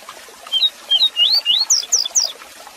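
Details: Double-collared seedeater (coleiro) singing the 'Tui Tui Zel Zel' song style, used for tutoring captive birds: a run of about eight short, clear whistled notes, slurred and climbing higher toward the end, over faint steady hiss.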